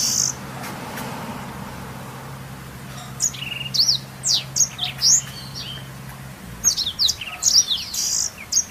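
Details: Black-throated canary song for tutoring canaries, starting after about three seconds of near quiet, then lively high chirps, slurs and trills delivered in quick bursts, over a low hum that fades out late.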